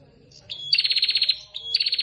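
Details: Prinia, a female calling to the male: a clear tonal note near the top of the range, then a fast rattling series of about ten buzzy pulses, repeated after a brief pause.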